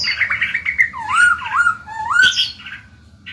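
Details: Caged black-throated laughingthrush singing to encourage young birds to sing: a run of mellow wavering whistles that dip and rise like a wave, ending in a sharp click and a higher burry note, with low hum behind.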